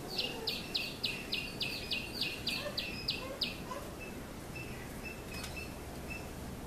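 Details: Female Asian koel calling: a rapid run of about a dozen sharp, clipped, high notes, repeated roughly three times a second and slowing slightly before stopping, then a few faint scattered notes over steady background noise.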